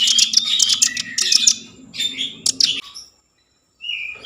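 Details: Common iora song used to spark breeding mood and prompt singing: a quick series of bright, harsh chirps over a faint low hum, then silence and a single thin whistle.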